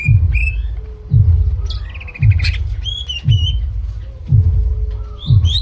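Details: Greater green leafbird singing a varied full repertoire: clear whistled notes, rising slurs and a fast stuttered trill. Heavy low thumps fall about once a second, with a faint steady hum between them.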